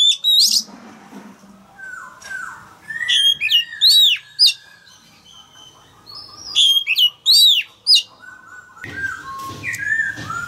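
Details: Male Oriental magpie-robin calling out a young wild-caught bird with repeated phrases of sharp, hooked, high whistles, each phrase about a second long, separated by softer chatter and brief gaps.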